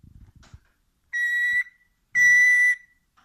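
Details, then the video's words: A Senegal parrot imitates the household microwave: two flat, steady electronic-sounding beeps, each just over half a second long, a second apart, with light rustling before them. "The Parrot Microwave"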